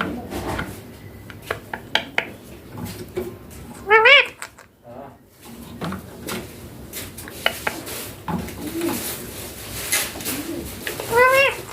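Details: Young green Indian ringneck parakeet talking; two loud wavering, rising-and-falling voice-like calls stand out among clattering dishes and background human speech indoors.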